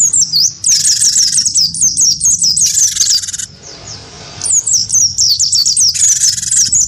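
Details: Gelatik batu (great tit), wingko type, lured into its fighting song against a white-eye; fast runs of high, sharp, swooping whistles, broken by bursts of harsh buzzy chatter and a short pause midway.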